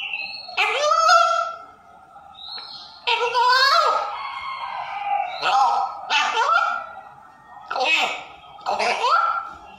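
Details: African grey parrot mimicking human speech, uttering a series of word-like phrases with tonal, whistly overtones, each phrase about a second long and separated by short pauses, recorded close up and indoors.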